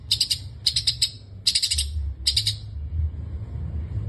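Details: Long-tailed shrike in full 'gacor full isian' singing, a song packed with fill-in phrases: four short bursts of high, scratchy chattering notes about every 0.8 seconds, then a pause with steady low background hum.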